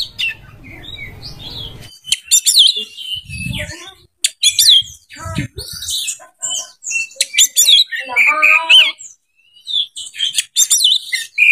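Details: Oriental magpie-robin in full breeding condition, its song used to stir other birds into singing: a busy jumble of sharp chirps, trills and high whistles, with a few low thuds and brief silent gaps.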